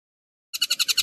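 A stork-billed kingfisher gives a harsh, rapid chattering rattle of about nine scratchy pulses a second, starting abruptly after a half-second of silence.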